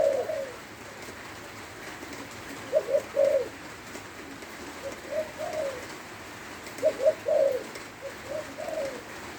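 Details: Spotted dove in Lopburi, Thailand, singing in the rain: two full cooing phrases about four seconds apart, each a few short coos leading to louder husky ones, plus softer coos between over steady rain hiss.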